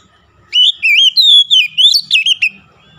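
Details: Kacer (Oriental magpie-robin) song used for reviving a stressed bird: a single two-second phrase of smooth, rolling whistles, rising and falling, ending in a few short sharp notes.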